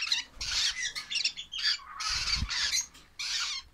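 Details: Lovebird chicks calling with long, harsh, hissing squawks in overlapping bursts, plus a low bump in the middle.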